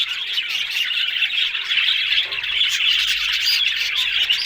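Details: Budgerigars keeping up continuous bright chirping and squawking, an unbroken chorus of high twittering notes.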